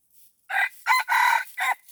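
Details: Red junglefowl crowing during decoy luring of wild junglefowl: a loud, clipped four-part crow, a short note, a sharp second syllable, a longer drawn-out middle and a brief final note, over about one and a half seconds.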